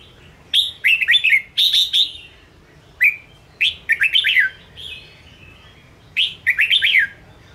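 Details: Ché red-whiskered bulbul singing to provoke and train caged bulbuls. It repeats lively phrases of four or five rapid, rolling whistled notes, each phrase separated by a brief pause, loud and clear against a quiet background.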